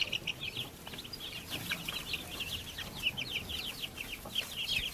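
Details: A group of young backyard chicks peeping rapidly, shrill short notes tumbling over one another without pause, over a light background hiss.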